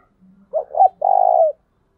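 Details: Spotted dove (Spilopelia chinensis) calling: two short, soft hooting coos, then one longer, level, purring coo, all low and mellow, with no other sounds.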